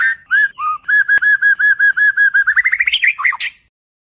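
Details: White-rumped shama song from an Indonesian night practice recording for contest birds: steady repeated looping whistles, about three per second, speed into a rapid trill and end in sharp, varied high notes.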